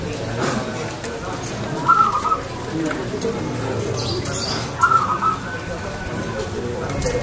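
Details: Local zebra dove singing loudly, its voice praised as crystal-clear: two short bursts of clipped, high, fluttering coo notes about three seconds apart over steady background hiss and faint rustling.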